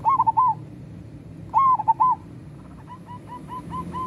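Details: Local zebra dove singing lively: two loud, quick bursts of bubbling, mid-pitched coos about 1.5 seconds apart, followed by a fainter run of short, evenly repeated coo notes over a low rumbling background.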